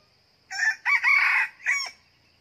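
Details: Decoy red junglefowl cock kept for trapping wild junglefowl gives one loud crow in three parts, a short first burst, a long strained buzzy middle and a quick dropping tail, with a thin insect drone behind.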